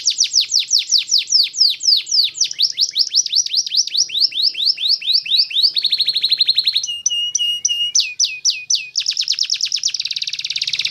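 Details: Lively canary song made of fast repeated downward-sweeping whistles in rolling trills, shifting to a dry rattle, a chopped metallic tour, then rising notes and a dense buzzing trill, all loud and clean without background sound.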